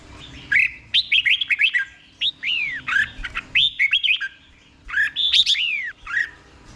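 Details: Thai caged red-whiskered bulbul singing a slow, clear doubled song meant for other bulbuls to learn; rapid clusters of whistled notes with descending slurs, in three phrases broken by brief gaps, faint room hum beneath.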